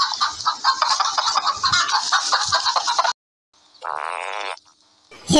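Hens cluck in a busy, overlapping chatter for three seconds, then after a pause comes one drawn-out, nasal squawk.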